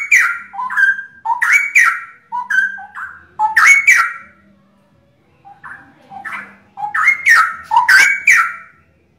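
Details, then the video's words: Three caged straw-headed bulbuls kept as prized pets in Indonesia, a popular contest bird noted for its very loud voice, singing together: bursts of rich, liquid whistled phrases rising and falling, a brief pause midway, then another loud outpouring. "Kolaborasi 3 Cucak Rowo Super"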